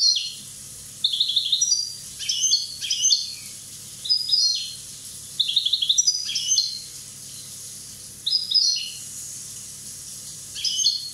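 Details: Corsican goldfinch, aged one year, singing a lively run of chattering, tinkling phrases, about seven bursts with brief pauses between them, and a faint low hum underneath.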